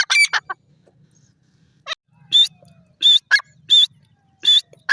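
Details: Grey francolin, also called jungle teetar, giving loud harsh piercing notes in short bursts roughly every half second to second, with a few fainter clucking notes between them and a low background hum.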